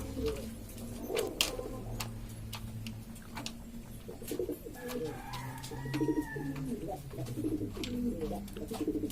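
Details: Various domestic pigeons from Lombok, Indonesia, a noisy group: soft, low coos come and go over a steady low hum, with loud clicks and a few thin higher sounds.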